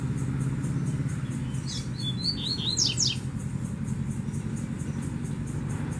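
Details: Wild double-collared seedeater, a strong brown-plumaged male drawn in at a scrub site where a female was being handled, gives a short phrase of sharp high chirps and steep down-slurred whistles, with steady low motor rumble throughout.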